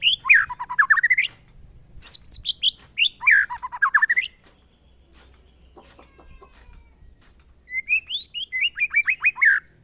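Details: White-rumped shama, murai batu, singing its monotonous 'glondong' style: fast strings of high notes sweeping down then up in repeated U-shaped series, bursts about every two seconds, with a quiet pause mid-clip and faint low hum.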